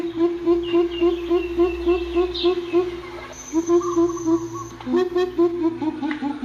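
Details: A greater coucal repeats fast, low booming hoots, which briefly break off midway while a thin high whistle and other bird notes sound, before the deep series resumes.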